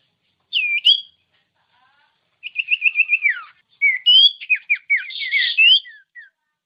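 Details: Common iora, locally called sirtu or cipow, recording used as a master lure to provoke lazy caged ioras into singing; a sharp whistled note, then a fast rattling trill and a run of varied, quick descending whistles.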